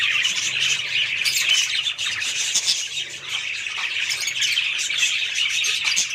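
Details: Several budgerigars calling together: constant high chirping and scratchy squawks blend into a busy, unbroken chatter, with a few louder sharp notes standing out.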